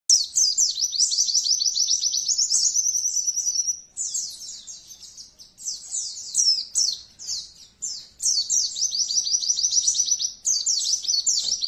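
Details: A colony of Oriental white-eyes, a recording used to fire up trained birds. Thin, very high twittering runs in dense overlapping bursts, with rapid chattering trills that pause briefly near four and eight seconds.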